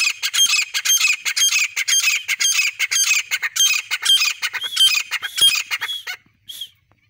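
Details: Grey francolin calling loudly: harsh, ringing notes are repeated in a steady, rapid rhythm about twice a second, then trail off into a few spaced final notes.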